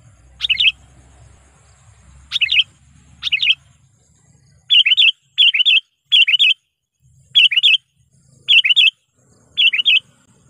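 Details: Sooty-headed bulbul lure call for attracting wild bulbuls: ten short bubbly, liquid phrases repeated roughly once a second, the first few over a low rumble.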